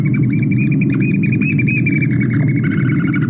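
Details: American Oystercatcher giving its distinctive call, a rapid run of loud, piping whistled notes dropping to lower notes near the end, over a heavy low rumble; a Nantucket breeding-site shorebird.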